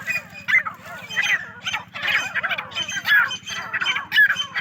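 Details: Many partridges kept on a farm calling together: overlapping harsh, chattering notes in quick irregular bursts, with a steady low mechanical hum underneath.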